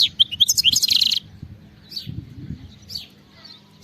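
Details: Wild European goldfinch singing: a quick burst of high tinkling, twittering notes for about a second, then scattered faint chirps over low background rumble.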